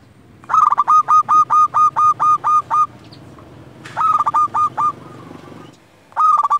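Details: Local zebra dove, a frequent singer, used for luring and tutoring other doves: loud cooing song of about ten clipped, even notes in a rapid series, then a shorter burst of four notes and another beginning near the end.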